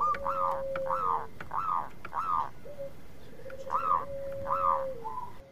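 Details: Local zebra dove responding to a lure recording, heard against a hissy, noisy background. Arched, rounded higher notes repeat about every half second, with a long level coo beneath and a second coo later.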